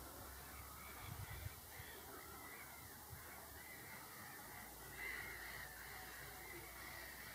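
A carrion crow gives a run of hoarse, croaking caws through the recording, over low rumbling wind or handling noise and a faint steady whine.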